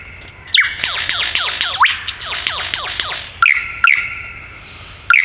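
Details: ['Wild male superb lyrebird in the Dandenong Ranges, Melbourne, singing as it moves between trees. A fast rolling series of descending sweeps over a steady tone, followed by spaced bright whistled phrases repeated about every half second.']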